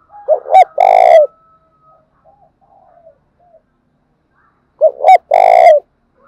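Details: Spotted dove calling vigorously as a decoy to draw in wild birds. It gives two loud phrases about four seconds apart. Each is two short clipped coos followed by a longer, harsh, distorted coo, with faint soft notes in the gap.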